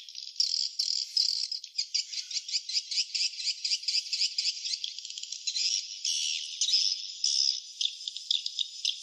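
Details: Nesting swiftlets give rapid, rattling chatter, with short high chirps pulsing several times a second and merging into a steady shrill twitter.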